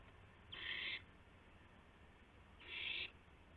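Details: Owl at 12:25 AM, April 7, 2016, during a gopher delivery with a flap and pounce; two strong, rasping hiss-like screeches about half a second each, roughly two seconds apart, with quiet low background between them.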